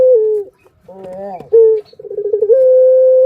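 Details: Barbary dove lure sound to excite other birds: a falling coo tail, a brief harmonic rising note, a short sharp coo, then a stuttered roll opening into a steady held tone.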